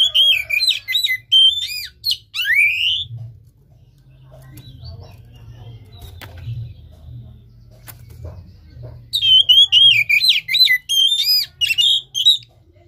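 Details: Oriental magpie-robin (kacer) song meant to stir a caged bird into singing: a lively run of loud, varied whistles and sweeps, a four-second lull with faint hum, then another rapid whistled burst.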